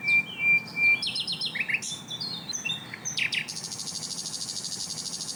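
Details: Asian brown flycatcher master song with close-set bursts: a thin whistle, clipped high notes and steep slurs, ending in a long, very high, continuous trill.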